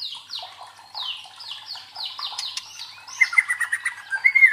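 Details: White-rumped shama provoking song for fighter training: about seven evenly spaced downslurred whistles, followed by loud clear whistled notes with rapid trilling.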